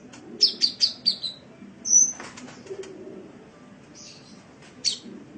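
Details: Sunbird, called kolibri in Indonesia, recorded as training material for caged birds: a quick run of four high, sharp chirps, then a single thin whistle and a few scattered high notes.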